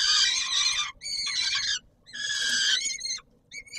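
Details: Peregrine falcon at the Palace of Culture and Science, Warsaw, feeding time, 17 July 2022: loud, coarse, harmonic screeches, a few long ones and a short clipped note at the end, with quiet gaps.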